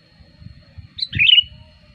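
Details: Sooty-headed bulbul lure song meant to attract wild birds: a bright high note and a rolling bubbly warble, with soft low thumps and murmuring in the background.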